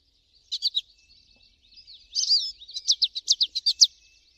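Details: American goldfinch singing outdoors, a pair of short chirps, then a slurred buzzy note leading into a rhythmic series of high, clipped twitters.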